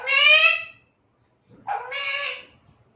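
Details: A pet talking Alexandrine parakeet, described as female, speaks two short words in a high, nasal, buzzy voice, the second phrase rising then held, with a pause between.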